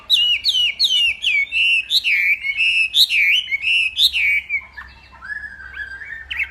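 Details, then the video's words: Hwamei from Northwest Vietnam singing in a contest-style morning practice session: loud, rich whistled phrases, rapid repeated downslurred notes sliding between high and mid pitch, then quieter warbled whistles trailing off toward the end. "Hoạ Mi Hót Đấu /hoạ mi hót sáng luyện giọng kich bổi sổ giọng chim hót hay mỗi ngày/Họa mi Tây Bắc"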